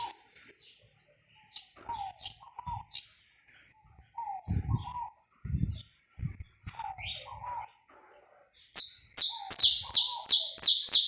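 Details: Live, uncut warm-up recording of a saffron finch in pega pé style: scattered low cooing notes and soft rustles, then a fast run of bright, high, downslurred notes, about two per second.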